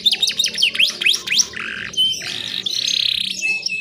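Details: A female canary gives a fast run of high, sweeping whistled notes, then shifts into buzzy, rolling trills; nothing else is heard.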